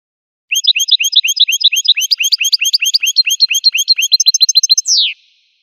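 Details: High, sweet repeated chirps from a wild American goldfinch build into a faster twittering sequence and a brief trill, closing with a single long downward buzzy slur.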